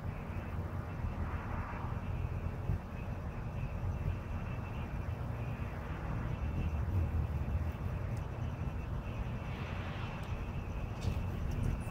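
A steady, deep engine rumble, like a passing aircraft or distant traffic, fills the recording with no clear animal calls.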